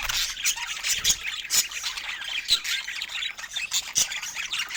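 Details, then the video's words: Budgerigars in a calm, affectionate moment give continuous soft chatter: gritty, buzzy warbling full of quick squeaks and chirps, with brief louder bursts about every second. "Cute Budgies Sharing Soft Love Sounds in a Quiet Moment"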